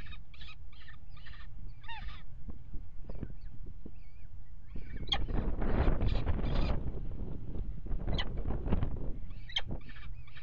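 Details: Peregrine falcons at a water tower nest box in early February, mating on the ledge: bursts of harsh chattering calls early, then loud rustling and knocking, with a few more calls near the end.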